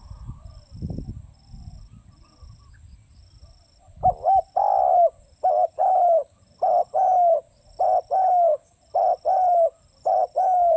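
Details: Spotted dove cooing: after four seconds of low rumbling background noise, about six mellow two-part phrases follow at a steady pace, each a short coo and then a longer, slightly falling coo.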